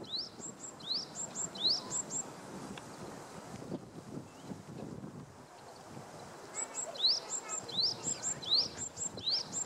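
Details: Japanese tit spring song: quick, bright two-note phrases, rising then high, repeated in two bursts with a short pause between, over soft background hiss; finding: Japanese tit.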